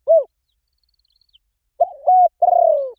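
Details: Spotted dove giving a lure coo to prompt other doves to call back: one short hooted note, a pause, then a three-part phrase ending in a long, slowly falling, drawn-out coo; no other sounds.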